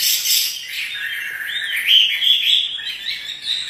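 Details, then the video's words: Chinese hwamei kept by a bird fancier, singing while dancing: a softer run of sliding whistles and rapid warbled notes, rising and falling over a faint hiss. "Burung wambi (hwamei) gacor menari"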